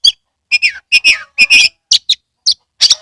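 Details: Oriental magpie-robin loud song, meant to spur caged birds to sing with open tail; strong whistled notes with descending slurred endings, short phrases repeated about every half second.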